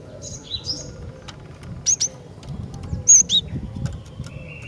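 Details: Female Javan sparrow calling actively to stir males: short, high, clear piping notes in pairs and small clusters, some sliding downward, spaced irregularly over a low background rumble.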